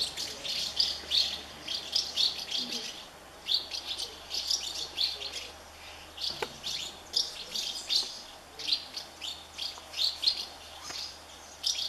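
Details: Thirty House martin nests full of hungry chicks being fed by parents; shrill high twittering in clustered bursts, about a dozen surges over the stretch, with a brief soft thud midway.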